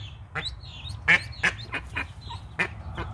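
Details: Mallard hen guarding her newly hatched brood of twelve ducklings gives short, harsh, rasping calls in uneven bursts, several close together, while thin high peeps from the ducklings sound faintly in the background.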